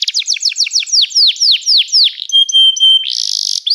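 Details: Canary singing a fast series of downward-sweeping whistled notes, about four per second, then a sustained pure tone broken by short pips and ending in a dense buzzy burst.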